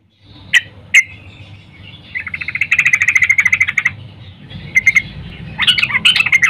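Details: Morning calls of a female yellow-vented bulbul summoning a male: two sharp single notes, then a sustained buzzy chatter of quick pulses, followed later by scattered chips and a final burst of warbled notes.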